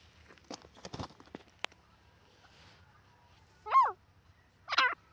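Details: Francolin (teetar) calls from a compilation of teetar voices from around the world: two loud, harsh, ringing notes near the end with bending pitch, preceded by faint scattered clicks and rustling.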